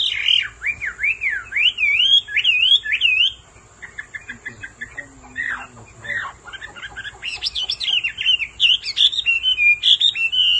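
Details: Male hwamei with golden bill and legs sings, roused by a female's repeated calls: loud wavering whistled phrases rising and falling, a quieter stretch of scattered chips and twitters, then bright varied warbled notes climbing again.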